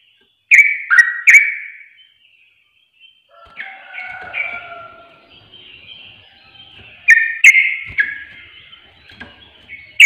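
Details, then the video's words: Sooty-headed bulbul used as a lure to provoke birds: a loud burst of three bubbly chirps, a quieter warbling stretch, then another lively chirping burst near the end. "Pancingan Trucuk Bahan Susah Bunyi Akan Langsung Emosi Panas"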